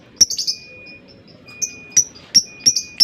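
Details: Lovebird chirping in a recording aimed at making a rival chatter long ngekek phrases: sharp high ticks and thin whistled chirps, scattered then bunched toward the end, over a quiet steady tone.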